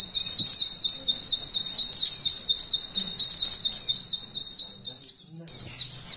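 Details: Mountain white-eye song meant for training canaries, a quick chain of high-pitched, rhythmic slurred notes, roughly two per second, with a short gap before the phrase restarts.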